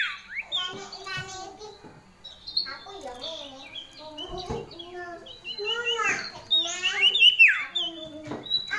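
A female common iora gives loud, busy chattering calls: quick, high, slurred notes and short trills in irregular bursts.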